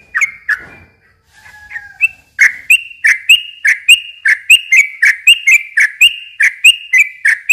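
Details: Yellow-vented bulbul song meant to lure young birds. A few scattered notes and a faint low whistle lead into a steady, loud run of bright chattering notes, about four per second.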